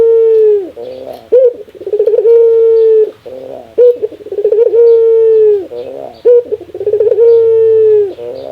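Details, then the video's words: Repeated laughing call from a ringneck dove, roughly every two and a half seconds. Each cycle mixes a quick, jerky stutter of notes with a sustained, hollow coo, and the background stays quiet. "Suara ketawa burung puter,suara paling langka"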